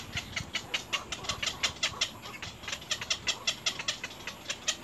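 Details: Little egret chicks in the nest, trying to bite their mother hard, give harsh, rapid, repeated begging calls, around two or three per second, with steady background noise.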